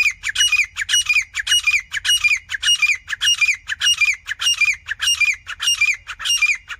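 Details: Grey francolin calling non-stop: loud, harsh, ringing squawked phrases, each a cluster of rapid notes, repeated steadily about every half second for the whole stretch, with faint low rumble beneath.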